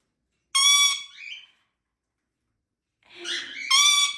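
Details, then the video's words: Pet Indian ringneck parakeet making funny sounds and talking: two bright, harmonic-rich whistled notes about three seconds apart, each trailed by softer, rougher chatter. "Cute Indian Ringneck Parrot Making Funny Sounds Singing"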